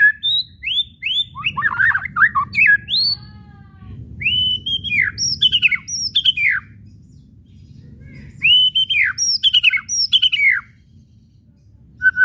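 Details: Provoking whistles and chatter (kretekan) of a White-rumped shama: high rising whistles and arched downward-sweeping notes mixed with scratchy chatter in three bouts, with quiet stretches between them.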